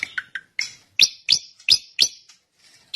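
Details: Drongo calling with varied, separate notes: a few lower chirps, then a row of loud, upslurred sharp notes about every third of a second, ending with one more strong note.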